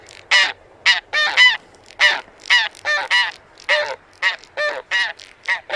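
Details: Taiga bean goose (Anser fabalis) honking: loud, raucous nasal calls in irregular series, some paired, each note short and harmonic-rich, with quieter distant honks between them.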